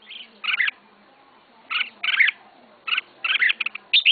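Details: Captive red-whiskered bulbul, a novice keeper's first bird, uttering a few separate short warbled bursts of two to three quick notes with longer quiet spaces between them.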